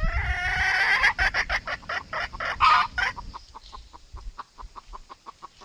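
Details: Red junglefowl, hen calling rooster and rooster calling hen, played to lure birds into traps: a long harmonic crow-like call, a burst of rapid clucks with a louder squawk, then a string of soft, quick clucks fading out.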